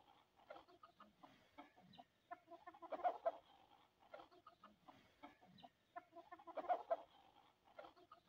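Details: Hens feeding on sesame seeds, giving soft low clucks and murmurs at an irregular pace, mixed with light pecking and scratching sounds, without any loud calls.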